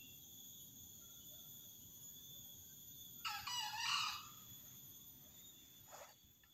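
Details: Green junglefowl rooster at a spot beside a house, an area with many males and females; one brief, harsh, strained crow under a second long, followed by a faint short note, with a constant high-pitched drone behind it.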